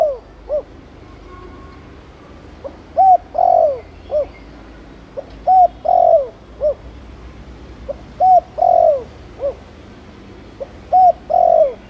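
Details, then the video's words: Spotted dove giving Thổ Đồng style coos meant to stir other male doves into cooing: about five mellow phrases in twelve seconds, each a soft pickup, a level hoot, a longer down-slurred coo and a short closing note, over quiet background. "Cu gáy Thổ Đồng kích bổi nhanh nổi/Chim cu gáy Chiêu + Gù kích bổi ức chế mau gáy/Kích là gáy ngay"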